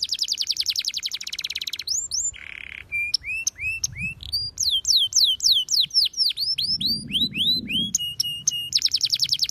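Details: A canary in full, energetic song pours out fast rattling trills, then a long run of sweeping downslurred whistles repeated several times a second, ending in another dense high trill; faint low rumble beneath.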